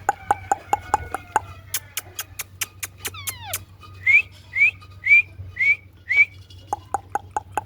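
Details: Parrot chirping: a run of sharp dry clicks, then a swooping falling whistle, then five short upward-sliding chirps about half a second apart, ending with more quick clicks.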